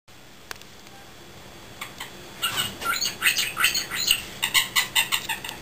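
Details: A newly acquired male cockatiel, roosting and trying to talk after three days in his new home, repeating "pretty", chatters quick scratchy, squeaky syllables about three a second after a quiet start with faint indoor hiss.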